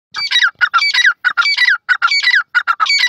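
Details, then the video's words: Francolin (sindhi teetar) calling: loud, harsh, grating phrases of several rapid notes, repeated in quick bursts about every half second, with strong overtones and short silent gaps between phrases. "sindhi teetar ki zabardast awaz,partridge bird natural voices"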